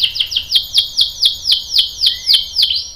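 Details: Canary song in 'ngerol' style: a string of about eleven quick, bright, downswept notes repeated at an even pace, with a faint lower whistle sliding in near the end.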